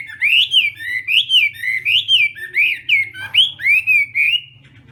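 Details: Chinese hwamei's morning practice song: a rhythmic sequence of about a dozen clear upslurred whistles, each swelling then fading, roughly two per second, ending with a softer trailing note.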